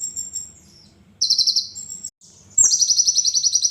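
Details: Very high kolibri ninja sunbird song: soft thin whistles give way to a fast buzzy trill, then a loud, rapid, pulsing rattle closes the phrase.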